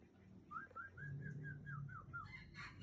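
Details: Aceh white-rumped shama, a breeding female: a faint series of about eight clear whistled notes of similar pitch in an even row, over a steady low hum, ending in a brief noisy burst.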